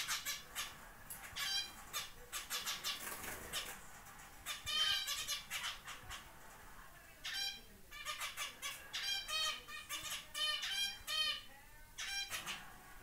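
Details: On the first day after leaving the nest, a young zebra finch gives repeated nasal, trumpet-like calls, single or in rapid clusters, with brief pauses and softer background calling.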